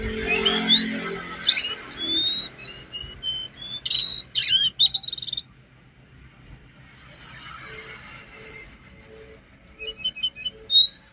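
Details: Cage-bird training recording of lesser shortwing song: bursts of high, sweet whistles and twittering notes separated by a quiet pause, ending in a fast run of evenly repeated chips, with faint insect-like buzzing and low background hum.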